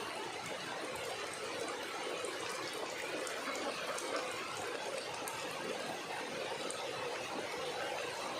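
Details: Steady gushing water noise throughout, broad and hissing, with no clear animal voice heard.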